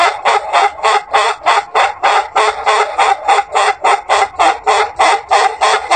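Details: Ayam Ketawa, a long-crowing laughing rooster breed from Sidenreng Rappang, South Sulawesi, Indonesia, gives a long crow like human laughter: harsh, even pulses repeated about three times per second throughout, with no pause.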